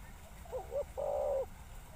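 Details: Spotted dove: two quick, low coos rising in pitch, then one long, level, hoarse coo lasting about half a second, with soft hiss behind.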